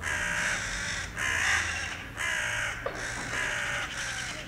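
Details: A bird gives harsh, raspy caws at Miladije: four drawn-out calls, each about a second long, in quick succession over a low background hum.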